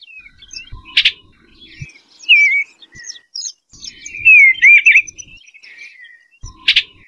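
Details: Eastern bluebird warbling soft, wavering whistled phrases, broken by sharp clicking sounds at the start and end.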